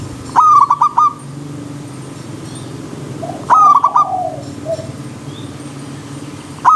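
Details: Wild zebra dove song beside a river stream, aimed at elite birds: quick, clipped phrases of five coos come every three seconds, with a faint gliding coo and steady low background hum.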